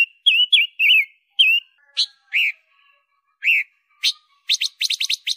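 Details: Master recording of a loud small red-billed leiothrix for tutoring songbirds: wavering descending whistles at the start, a few separate slurred notes, then an accelerating rattle of sharp paired chips at the end.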